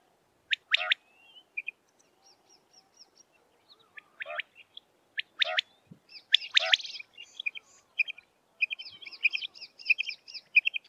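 Common quail giving sharp, liquid notes at irregular intervals, followed by a run of rapid high twittering chirps.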